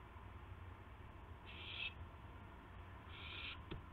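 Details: Owls at a nest just after midnight on March 19, 2016, while adults deliver a gopher and mice to owlets; two short raspy hissing bursts about a second and a half apart, with a low background hum and a soft knock near the end.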